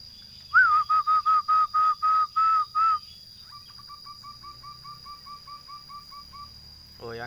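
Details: Local zebra doves set out in cages for sunning in Temanggung, Indonesia, coo: about nine clear, evenly paced notes, then a softer, quicker run of fifteen or so, over a steady high whine.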